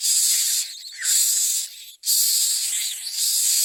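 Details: Common myna feeding young with captured nestlings; near-continuous harsh, breathy rasping in long surges, broken by two brief dips in loudness.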